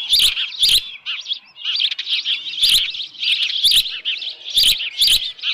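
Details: Evening at the Dunrovin Ranch osprey nest, 10 June 2018, with a headless fish: insistent, high, whistled chirps run nearly nonstop, with sharp knocking sounds interspersed about every second.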